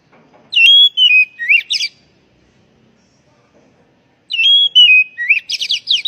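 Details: Kacer, or Oriental magpie-robin, lure recording meant to start stressed, untrained birds singing. Two matching bursts of clear whistled slurs end in rapid chattering notes, separated by about two seconds of silence.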